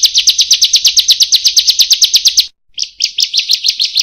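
Bar-winged prinia giving a loud, rapid, high-pitched series of sharp chirps, about six per second, with a brief pause before the run resumes.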